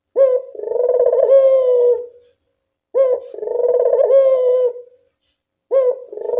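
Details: Barbary dove cooing at dusk, a call used to lure and rouse reluctant doves: three rolling coos, each opening with a short bright note, then a long, vibrating, slightly falling purr, about every three seconds in silence.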